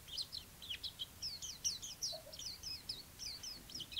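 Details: Chinese white-eye singing a rapid, continuous twittering of high, thin warbled notes with quick up-and-down slurs, in a quiet setting.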